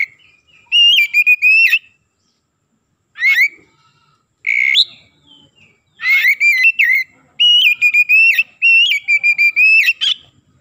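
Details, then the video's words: Repeated powerful whistled phrases from an Oriental magpie-robin, meant as a lure to excite other birds, arrive in bursts of two to four choppy notes with steep upward flourishes across ten seconds, with near silence between. "PANCINGAN TERCEPAT MENAIKAN EMOSI KACER GACOR DENGAN CEPAT"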